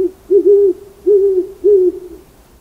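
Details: Owl hooting: three soft, low, hollow hoots about half a second apart, each slightly rising then falling, in a quiet setting with no other sounds.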